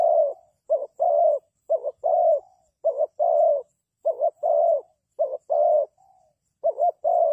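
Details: Cooing of a spotted dove serving as a trap decoy: repeated pairs of a short broken coo and a longer sustained low croo, with a steady rhythm of about one phrase per second and little background sound.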